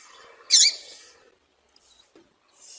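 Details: Female papa-capim seedeater call used to excite males for singing tournaments: one loud, sharp high chirp, then faint short ticks and a soft hissy note at the end.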